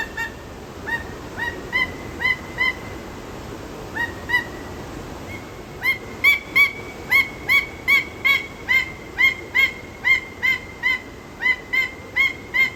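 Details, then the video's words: Peruvian thick-knee at a zoo giving loud, ringing, upslurred notes, first scattered, then a rapid steady series of about two to three per second. "What Sound does a Peruvian Thick-knee Make?"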